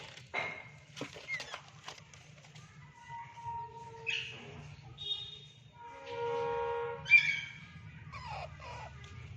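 A rose-ringed parakeet gives a few harsh, rising screeches mixed with clear, steady whistled tones. Scattered clicks and faint low background hum are also heard.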